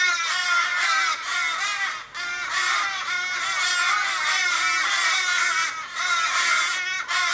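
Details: Australian ravens, 15 or more, circling a dying flock member struggling in a Kellyville street, Sydney, on 1 July 2012; a continuous overlapping chorus of harsh, drawn-out wailing caws with falling ends, almost without pause.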